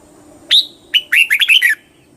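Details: Red-whiskered bulbul singing: one bright, slurred note, a brief pause, then a quick jumbled run of five or six warbled whistles over a faint steady hum.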